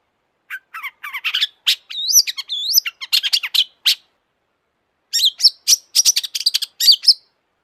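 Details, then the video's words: Excited long-tailed shrike song: varied chattering notes and whistled rising and falling slurs pour out almost without pause, a short break, then another dense, rapid run of harsh high notes. "kicau burung cendet gacor FULL EMOSI"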